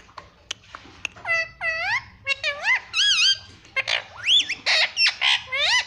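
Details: Pet parrot that is said to say "mummy"; rapid series of swooping, harmonic, voice-like syllables, many dipping then rising, packed closely together with short breathy squeaks.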